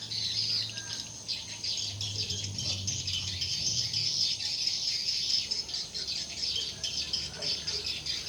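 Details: Many swiftlets calling at a four-storey swiftlet house, 5 by 10 metres, in use for four months; a steady, high-pitched, buzzy chattering wash, unbroken throughout, with faint low rumble beneath.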